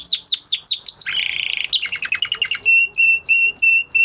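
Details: Canary singing after the moulting period: downward-slurred repeated notes, a buzzy rattle, a mid-pitched trill, then evenly spaced level whistles.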